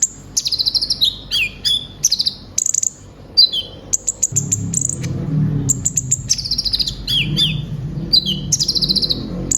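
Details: Brown-throated sunbird kept as a songbird, singing gacor with full isian: rapid high chirps and down-slurred whistles repeated in bursts, with a low rumbling background noise starting midway.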